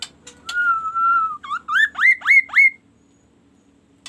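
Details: A kaso-kaso bird calling in one of its many varied calls, said to prompt other birds to call: a long, level, clear ringing whistle, then four quick rising whistled notes; no other sounds.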